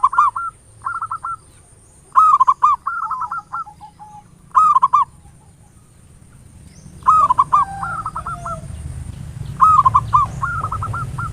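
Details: Local zebra dove in ngayer nulop style, sung as a lure to stimulate singing: stuttered coo phrases, several followed by a rapid trailing run of clipped notes, repeating every two to three seconds, with soft background rumble later.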